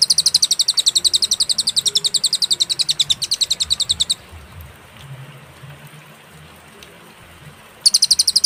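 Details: Cililin song on a clear master track with pauses for training songbirds: about four seconds of fast, high, sharp chirps, a long silent stretch, then the rapid chirping starts again.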